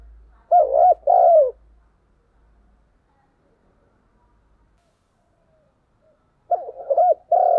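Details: Decoy spotted dove calling in the morning: a loud cooing phrase of rolling, mid-pitched coos at the start, a long silence, then the same throaty coo phrase repeated near the end.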